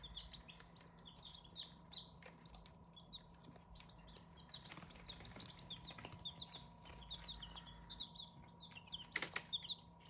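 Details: Several Hmong chicken chicks peeping softly, clusters of high downslurred cheeps coming in bursts, with a faint mechanical hum, scattered thumps and a brief rustle near the end.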